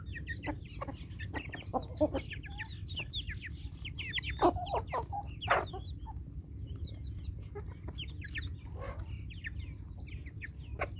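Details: Flock of chickens at morning feeding time, a dense mix of soft clucks and high chirps scattered throughout, a couple of louder thumps midway, over a low rumbling background.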